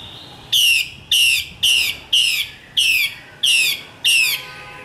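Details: Female Chinese hwamei from northwestern Vietnam repeats a strong, ringing note that drops in pitch, seven times at a steady pace of roughly two per second.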